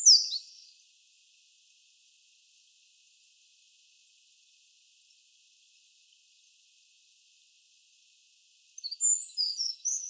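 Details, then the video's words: Eurasian wren singing from its song post in a forest in western Japan on 31 March 2013, in two short bursts of high, rapid tumbling trills and twitters at the start and near the end, with quiet between. "ミソサザイ（Eurasian Wren）のソングポスト／さえずり"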